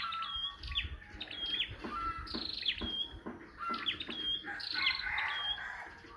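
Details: Scarlet-backed flowerpecker used as a lure bird at a trap, giving rapid, sharp high ticks and thin metallic chips in quick bursts, with some overlapping chirps from other small birds.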